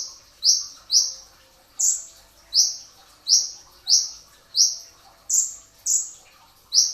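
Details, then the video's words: Training recording made before dawn at sahur of a brown-throated sunbird's dense 'tembakan rapat' song: a steady stream of about eleven piercing, high, downslurred notes, some doubled closely together. "masteran pedas kicau konin dacok, kolibri ninja 2tak dada coklat full tembakan rapat di saat sahur"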